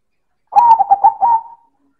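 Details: A single loud coo phrase from a silver zebra dove: about five quick pulsed notes that end in a smooth drawn-out tone.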